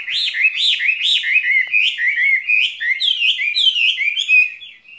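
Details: Skylark kept in a cage delivers a spring song: a run of repeated arched whistles, about three per second, shifting into quicker chirps and trills before fading at the end.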